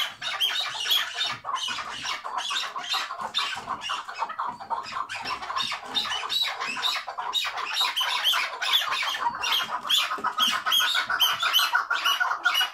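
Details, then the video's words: Chukar partridge on a tether chattering its hıngırma call, with long runs of quick, raspy clucks about twice a second that build slightly toward the end. "Keklik Hıngırması Süper Bağlı keklik sesi"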